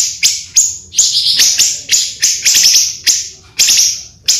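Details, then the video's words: Pancawarna bird calling, a recording used for luring birds: sharp high chirps in quick bursts, each a bright downward-sweeping note, repeated irregularly about every half second with short pauses between groups. "suara burung pancawarna sangat ampuh untuk pikat dan isian"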